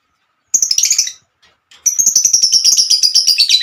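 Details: Female lovebird in a long trilling song: a short rapid chattering burst, a brief gap, then an unbroken fast trill of high buzzy notes, about four per second, lasting nearly two seconds.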